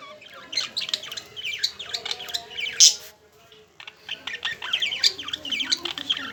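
Budgerigars chattering with busy, scratchy warbles and sharp chirps in quick, irregular bursts.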